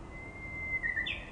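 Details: Japanese bush warbler song: a long, steady whistled note held for almost a second, then a quick warbled flourish that jumps higher.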